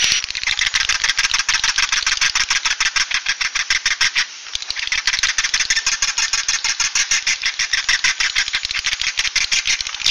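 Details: Swiftlets give an "inap" (roosting) call: a dense, continuous stream of rapid, high, buzzy chirps, several each second, with a brief dip near the middle.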